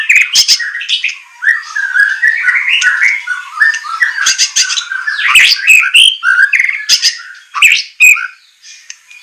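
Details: Rough, harsh white-rumped shama song from a training recording for captive birds: dense scratchy squawking warble with frequent sharp high cracks, almost continuous for nine seconds.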